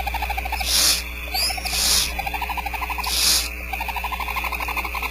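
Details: Barn owl owlets, about four, fed by the female at a Starr Ranch nest box camera; harsh hissing begging bursts come three times, while a steady run of short pulsed croaks continues underneath.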